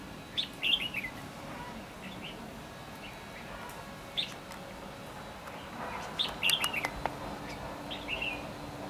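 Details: Red-whiskered bulbul, a lure bird singing during trapping on 8 December 2015. Short bright whistled phrases of quick down-slurred notes come in bursts near the start, middle and end, over steady low hiss.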